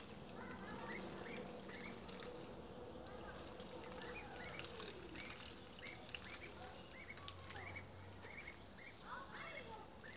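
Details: Group of ducklings peeping continuously: many quick, high, thin chirps repeated several times a second, over constant hissing background noise and a low hum.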